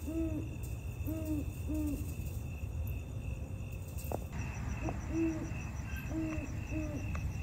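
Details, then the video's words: Great Horned Owl in Sierra Madre, California, on 13 October 2023 gives deep, soft hoots in two bursts of three evenly spaced notes, over a low rumble and a steady high insect-like whine. "Great Horned Owls"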